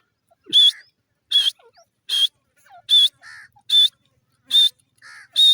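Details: Grey francolin (teetar) calling in a steady rhythm of loud, harsh, high notes about every 0.8 seconds, with softer lower notes between some of them.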